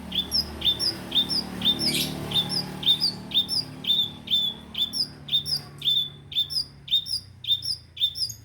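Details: Long-tailed shrike recording meant to restart a bird that has gone quiet. Sharp, high chirps with a short upward flick repeat steadily about twice a second throughout.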